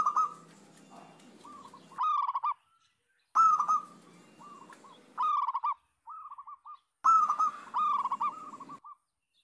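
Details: Local zebra doves in full song as a lure for other zebra doves: three main bursts of quick trilled cooing, separated by pauses and brief softer phrases, with steady low background noise.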